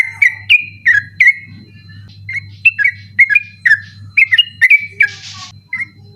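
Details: Sooty-headed bulbul singing persistently at night, used as a training recording for birds that compete in night contests; a series of short bright whistled phrases bending up and down, repeated about twice a second, with a low steady hum throughout.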